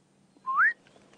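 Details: Black-headed oriole at dawn, during the dawn chorus on a 20 July 2016 safari drive, gives one clear, liquid whistle that slides upward, under a second long, over a faint low hum.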